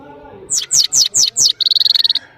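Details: European goldfinch from Parachinar: five loud descending sweeping notes followed by a rapid even trill of about a dozen short clicks.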